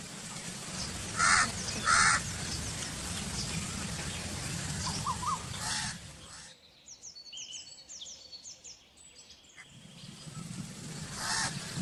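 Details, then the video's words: A crow gives two hoarse caws early on over a steady noisy background. Quiet twittering from small birds follows, and one more distant caw comes near the end. "Crow Calling Sound"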